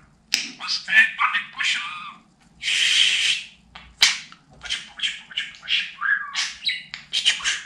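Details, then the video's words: Budgerigar kept as a pet chattering imitated Turkish phrases such as "Cici kuş", rapid scratchy syllables broken by a longer hissing burst and a sharp click, then more fast warbled word fragments. "Babacık Aşkım Cici kuş Demeyen Konuşmayan Muhabbet Kuşu kalmasın | dinlet konuşsun"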